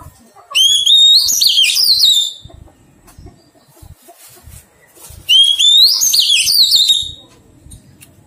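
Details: During taming, a newly caught Oriental magpie-robin repeats the same song phrase twice, roughly five seconds apart: an upward-sweeping whistle followed by quick, bouncing warbled notes, with low thumps in the quiet gaps.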